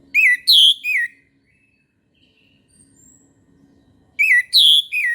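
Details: Morning singing of an orange-headed thrush: two identical three-note whistled phrases about four seconds apart, with thin faint whistles in the gap and a low hum underneath.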